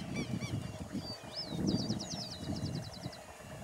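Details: Brown-chested martin (Progne tapera) calling on 9/2/2021 at Empalme San Carlos, Santa Fe, Argentina: a few high, slurred notes then a quick run of thin chirps over steady low rumbling noise.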